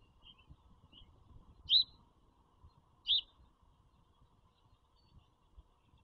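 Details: Bald eagle at a nest with four young eaglets in Pennsylvania farm country, April 4, 2022, recorded by a nest camera. Two sharp, high chirping notes about one and a half seconds apart rise from a faint steady hum.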